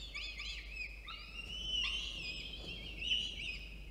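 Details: Peregrine falcon at a nest in Orange, New South Wales, on 24 October 2022, during food delivery and feeding; drawn-out harmonic wailing calls that rise and fall in pitch, over steady background noise.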